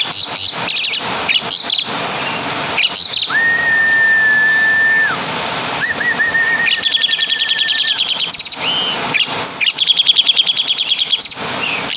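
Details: Javanese Asian pied starling imitating kapas tembak and caladi: scattered sharp chirps, two long, level whistles in the middle, then dense bursts of high trilling.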